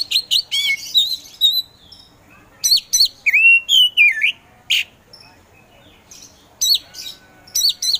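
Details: Oriental magpie-robin of the poci type, singing a varied run of clear whistled phrases, rising and falling slurs, and short sharp chips in quick succession, with brief pauses between bursts.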